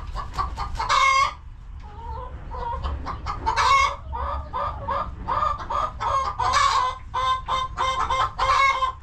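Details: Homestead coop chickens: dense, busy clucking with several loud rasping squawks scattered through, overlapping calls from more than one bird, low background rumble.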